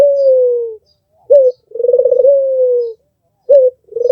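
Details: Red-eyed albino Barbary dove used as a song tutor, cooing in a quiet room: a long smooth falling tone, a short clipped note, then a throbbing coo that levels into a held note.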